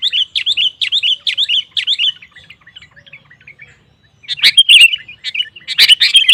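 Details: Sooty-headed bulbul (kutilang) singing gacor to provoke rivals: a quick even series of eight bubbly notes, a short pause, then a louder burst of sharp, mixed chattering phrases.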